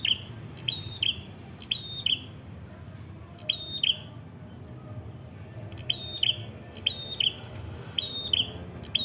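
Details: Red-headed prinia (prenjak kepala merah) singing vigorously near Kedungprahu village, Padas, Ngawi, East Java, Indonesia: high, sharp paired notes with thin upper flicks, in bursts every second or so, over a low rural rumble.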